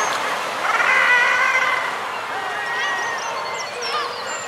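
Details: Group of common guillemots on their breeding ledges, with fulmar and kittiwakes present: a harsh, droning chorus of overlapping growled calls over a constant colony roar, with scattered thin high whistles.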